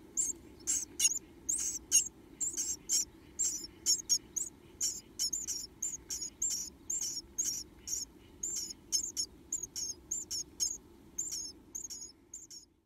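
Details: Japanese tit nestlings, two remaining chicks in a nest box, beg for food with open mouths: a steady stream of thin, very high-pitched squeaky calls in quick pulses, about one per second, with a faint low hum underneath.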